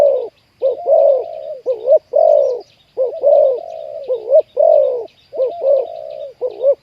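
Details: Spotted dove with a big-voiced 'khu ang' coo, heard while wild doves are lured to a trap. Deep hoots mix drawn-out, level notes with short, upturned ones in irregular phrases, with faint background chirping.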